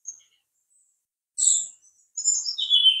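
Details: Brown-chested jungle flycatcher singing: a short high whistle, then a pause, then a buzzy high phrase, then a run of quick twittering notes that slide down in pitch, all set against a quiet background.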